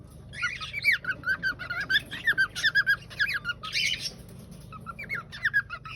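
A cockatiel sings a rapid run of chirpy, warbling whistles with sharp squeaks mixed in.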